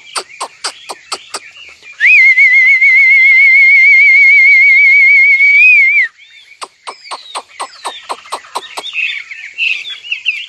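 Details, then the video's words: Singing nightingale: a burst of sharp clicks, then a long pure whistled note with a slight wavering tremolo lasting four seconds, followed by another click series and scratchy warbles. "Singing nightingale. amazing bird song"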